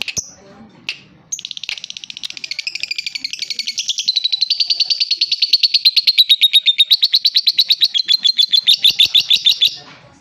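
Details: Young lovebird in full song: after a few sharp clicks, a long high-pitched rattling chatter of fast repeated buzzy notes builds in loudness and continues for about nine seconds.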